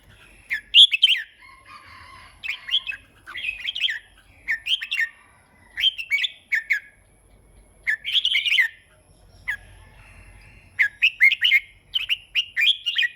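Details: Red-whiskered bulbul singing steadily, repeating short cheerful warbled phrases about every second, in two runs separated by a pause, with a faint low rumble in the background.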